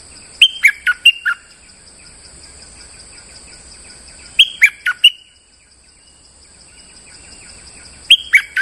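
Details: Streak-eared bulbul (merbah lekir), a molting bird still singing normally, recorded as a lure sound: three bursts of four to five quick, bright, chirpy notes dropping in pitch, spaced about four seconds apart, over a steady high whine.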